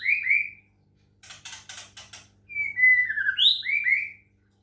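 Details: Caged White-rumped shama from Medan, its song prompted by water sounds: clear whistled phrases that slide and fall, broken by a burst of harsh, scratchy repeated notes, then more looping whistles; a faint low hum underneath.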